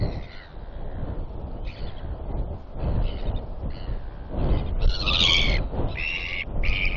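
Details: Royal albatross chicks squabbling, dated 8.10.21. One feisty, snappy chick confronts another that stands her ground as they clack bills. Harsh, harmonic calls come in short bursts, loudest and densest near the end, over heavy rumbling wind.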